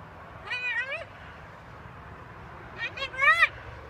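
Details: Balcony-kept talking macaw: a rising-falling harmonic phrase, a pause, then a rapid string of short choppy syllables ending in a louder wavering note, over faint low hum.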